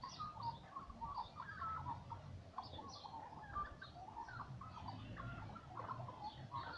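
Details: Young magpies chatter in the morning in quick, squeaky bursts of mid-pitched notes with a few higher chirps, over a low rumbling background.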